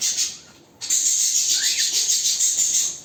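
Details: Canary singing: after a brief pause, a loud, dense, high rolling trill runs without break, shimmering and steady to the end.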